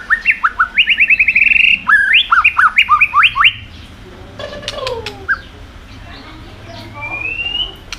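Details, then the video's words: Energetic white-rumped shama song with continuous 'tạch' clicks, used to stir other birds into singing. Rapid bubbling whistled notes repeat quickly for several seconds, then clicks, a descending slur and a thin rising whistle. "kích chòe lửa hót cực sung.chòe lửa hót tạch liên tục kích thích chim ức chế"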